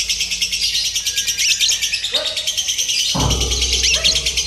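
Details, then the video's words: Lovebirds in a contest simulation for training their nerve: sustained high buzzy chatter pulsing quickly, interrupted by a man's voice and a sudden low thud partway through. "SIMULASI LOMBA TERBARU : TERBUKTI AMPUH MELATIH MENTAL LOVEBIRD"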